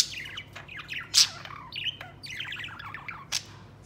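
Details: Pet budgerigar, a white male, playing outside the cage; soft twittering warble with one loud sharp chirp and a later high note, over a steady low hum.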